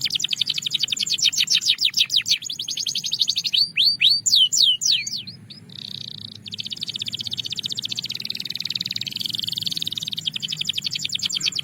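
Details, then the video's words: Belgian canary sings a long, varied song: rapid high trills, then a few sweeping whistled notes, then fast rolling trills again. "Belgian Canary Singing"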